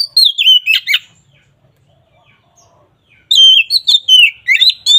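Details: Kacer (oriental magpie-robin) giving loud ngeplong song to provoke a lazy singer: a short burst of falling whistles and rasps, a pause of two seconds, then a lively run of mixed whistled notes.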